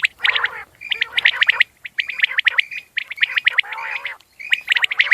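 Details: Common quail calls: bright, short, sharp notes in rapid clusters on a near-level pitch, with harsher, grating, harmonic notes mixed in and brief pauses between bouts.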